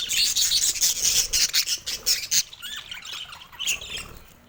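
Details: A budgerigar nestling makes its first calls: loud, grating squawks pulse about twice a second, then fade into softer rising squeaks and quiet rustling.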